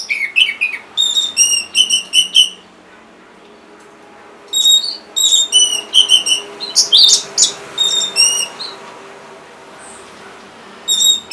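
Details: Orange-headed thrush singing, as a prompt for birds slow to sing: repeated groups of quick bright whistled notes, some fast and buzzy, broken by short pauses, over a light hiss.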